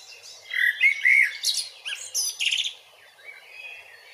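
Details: Eurasian blackbird in song at Grmoščica Forest Park, City of Zagreb, Croatia, recorded on a Panasonic Lumix: a rich, warbled whistled phrase that breaks into squeaky high twitters, followed by near silence.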